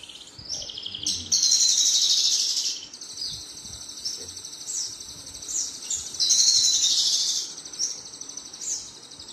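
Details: Singing male Javan bush lark, Tegal and Brebes region: two long, loud, buzzy high trill bursts several seconds apart, separated by softer thin slurred whistles and short chips, against light ambient hiss.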